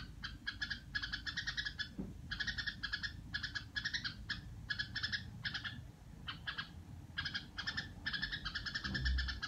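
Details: Pet Red-whiskered Bulbul in the rattling 'rò' manner, fast harsh trilled bursts repeated with brief gaps, backed by a constant low droning hum.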